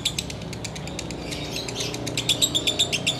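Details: Sooty-headed bulbul, a caged bird, chattering in ngekek style during Ramadan before breaking the fast: a quick rattling series of clipped notes, about four each second, growing louder toward the end.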